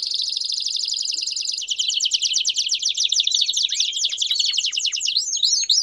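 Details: Belgian canaries singing in chorus, a fast rattling roll of rapid repeated notes that continues without a pause and ends in sharp, quick upward and downward slurred chirps.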